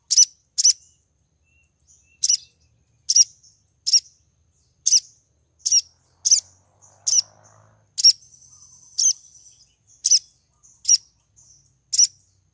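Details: ['Calling to draw in a male, a breeding female crimson sunbird repeats short, shrill chips at a steady quick pace for over twelve seconds, with a brief thin trill midway.']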